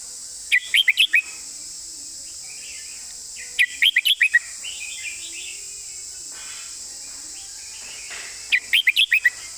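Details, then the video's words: Red-whiskered bulbul singing in the master-song style with well-phrased delivery: three bursts of five or six quick, bright, warbled notes, about three to five seconds apart, over a steady high hiss with faint softer birds between. "นกกรงหัวจุก"เพลงแม่บท เดินสำนวนสวย"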